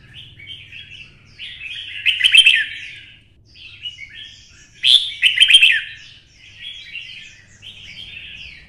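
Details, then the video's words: Red-whiskered bulbul stimulated into a fiery fighting song in the twisting-voice style: two loud, ringing, rapidly warbled phrases with sharp clicks, separated by softer, continuous chattering twitters. "CHÀO MÀO | Giọng xoắn - Kích chim xổ bọng căng lửa hót đấu"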